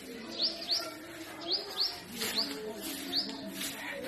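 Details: Purple sunbird singing in spring among forest trees in north-west Pakistan: a series of sharp, high, upslurred chirps, some paired, spaced irregularly over a soft background hum.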